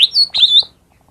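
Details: Lesser green leafbird (cucak ijo mini) song used as a lure to get quiet caged birds singing: a brief bright phrase of high whistled notes, a sharp opening note then two slurred warbled notes around the upper register, ending abruptly.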